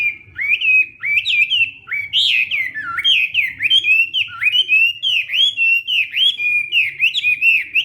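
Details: Morning training song of a Hwamei: a steady stream of loud, ringing whistled notes, each bending down then up, repeated roughly once a second with little pause.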